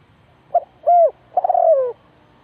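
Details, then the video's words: Spotted dove used as a decoy at a bird trap, giving one cooing phrase: a short low note, a longer level hoot, then a drawn-out coo that slides downward at the end, over a quiet background. "The Sound Of Dove,เสียงนกเขาใหญ่"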